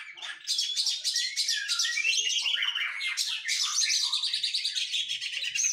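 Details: Oriental magpie-robin singing continuously during exercise after its moult; a dense, loud, unbroken stream of fast chattering trills, scratchy notes and quick rising and falling whistles.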